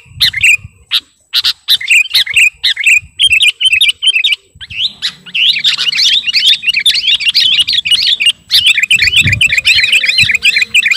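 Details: Garuda-type sooty-headed bulbul calling to a rival: clear whistled notes at first, separated by clicks, then a sustained rush of rapid looping, warbled twitters with a low hum underneath.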